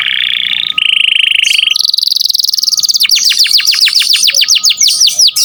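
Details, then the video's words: Lively canary song recorded as training material for songbirds: steady buzzy trills stepping up in pitch, followed by a rapid run of arching whistled notes delivered about four per second. "Kenari gacor cuit cuit cocok buat masteran burung kicau"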